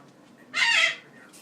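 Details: Caged pet Goffin's cockatoo, a male, hopping excitedly on top of his cage in the evening, gives one harsh, honking, goose-like squawk about half a second long.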